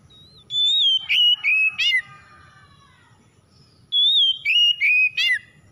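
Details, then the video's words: Oriental magpie-robin lure song, played to get a silent magpie-robin singing again: a long clear whistle sliding down into two slurred notes and a buzzy rattle. The phrase comes twice, about three seconds apart, over a faint low hum. "PANCINGAN KACER MACET BUNYI CEPAT IKUT BERPERAN LANGSUNG GACOR"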